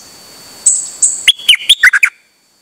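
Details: A Dok Taeng bird on 8 September 2023, calling nonstop while out: two thin, drawn-out high whistles lead into a fast run of six clipped, bubbling warbled notes that stops abruptly.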